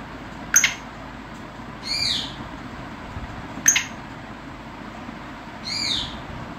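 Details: Black francolin, kala titar, kept in a decorated cage: a sharp click followed by a harsh grating note, the pair repeated twice over a steady background hiss.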